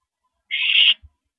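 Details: A single drawn-out rasping hiss, about half a second long, from an owl at a 9:17 PM mouse delivery on April 13, 2012, ending with a soft thump.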